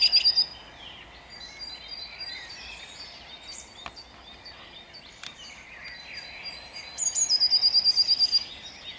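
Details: Song thrush (Turdus philomelos) singing at dawn in Jabłonna on 29 April 2021, short high phrases with each note rapidly repeated several times, over a busy dawn chorus of other birds.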